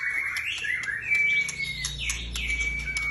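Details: Caged long-tailed white-rumped shama giving a continuous stream of whistled notes, some held steady and some sliding, mixed with faint clicks over a low steady hum.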